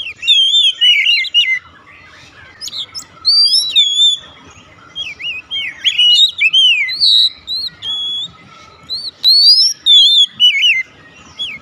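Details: Oriental magpie-robin (kacer) launching straight into 'nembak' singing: a rich run of varied whistled phrases, with sweeping, slurred and looping notes in short bursts about every second, separated by brief pauses.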